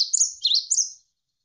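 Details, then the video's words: Cinereous tit (gelatik wingko) tutor song for training birds: three high, clear whistled phrases in just over a second, each dipping then lifting, followed by silence. "MASTERAN GELATIK WINGKO Gacor Berjeda 1-3 Menit"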